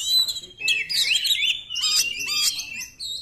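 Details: Oriental magpie-robin 'nembak' song, intended to provoke other magpie-robins to sing: loud, fast, continuous warbling of sliding whistles and sharp chattering notes with barely a pause.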